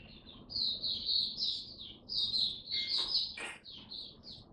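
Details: Caged Oriental white-eye (mata puteh) giving its buka song on a first-day test: a run of high, thin warbling twitters with short gaps, plus two sharp clicks near the end.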